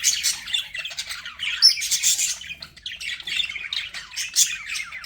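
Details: Budgerigars giving energetic squawks and high chirps in fast sequences, a harsh chattering warble with louder bursts scattered through.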